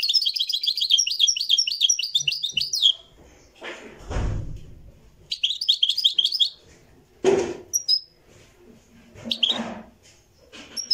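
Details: Moroccan goldfinch singing in a live recording: a rapid twittering run of high, jingling notes for three seconds, then loud knocks and thumps, a brief second burst of twitter, and scattered clatter.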